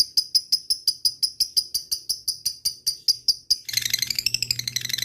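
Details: Lovebird used as a lure calling to rival birds, the ngetik style: sharp high ticking clicks repeated about five times a second for over three seconds, then breaking into a dense, fast chattering burst.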